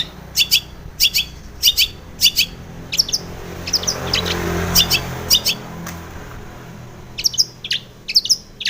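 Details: Female long-tailed shrike recorded in the morning as a lure for training caged birds: short sharp chirps in clusters of two or three, repeated irregularly, over a soft low background hum.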